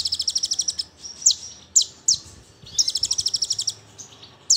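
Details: Brown-throated sunbird tembakan, burst song used as a lure for other sunbirds: fast high trill of rhythmic pulsed notes, then several sharp falling chips, then another rapid trill.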